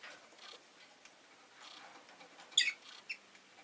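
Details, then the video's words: A pet rosy-faced lovebird (Agapornis roseicollis) gives one sharp, high, scratchy chirp, then a softer second one half a second later, over faint rustling; town noise such as vehicle engines may be present. "Lovebird Chirping Sounds"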